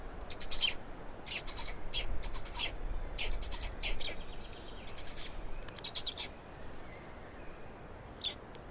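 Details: Black storks feeding, Estonia, 16.05.2019 at 12:47: a long series of rasping, hissy high bursts, irregular and about one and a half per second, fading toward the end over background hiss.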